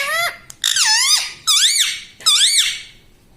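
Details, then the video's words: Caged-at-home parrot imitating human words such as "mummy": three drawn-out, rich harmonic syllables that bend down then curve upward, separated by short gaps in a quiet room. "Bolne wala tota - tota talk - mummy bolne wala mitthu - talking parrot"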